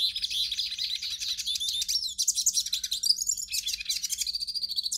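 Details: Hooded siskin singing in a nonstop, high-pitched twitter of quick chirps, buzzy rolls and brief rising whistles, used to stimulate a captive siskin to sing.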